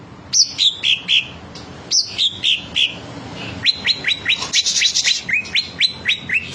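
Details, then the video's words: Green leafbird (cucak ijo) in full 'bongkar materi' display, singing a rich varied repertoire: bright slurred whistles falling in pitch, then a fast series of sharp rising notes, about four per second, with chattering between. "cucak ijo bongkar materi mewah"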